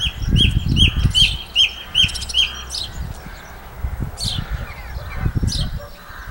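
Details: Song thrush singing in Campbeltown in April 2012: a clear whistled note repeated five times in quick succession, followed by sharper high phrases, with low rumbling wind-like noise underneath.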